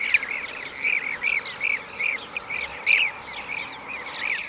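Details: Blue-cheeked bee-eater calling in Şanlıurfa, Turkey, in 2016. Evenly spaced, rolled 'prrip' notes come roughly every quarter second, some louder and fuller, with quieter calls from other birds behind.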